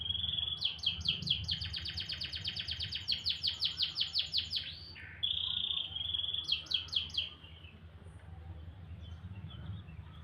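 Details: Canary singing in the morning: rapid trills of repeated high notes, fast rolling tours broken by a steady high whistle, with a low hum underneath.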